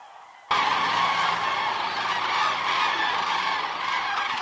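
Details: A large flock of common cranes calls together in a dense, unbroken chorus of loud trumpeting and bugling that starts abruptly and overlaps continuously, on the Hortobágy steppe in Hungary during the September–November migratory stopover, as evening flocks return to their night roost.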